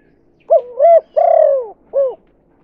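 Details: One full 'kuk 2' phrase of a spotted dove, a lure call to attract others: a two-part rising coo, a long mellow falling coo, then a short closing coo, low hum in the background.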